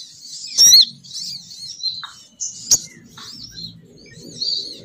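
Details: Sogon bird female call used to lure males. Brief high twitters and squeaky notes sound at intervals over a faint low hum.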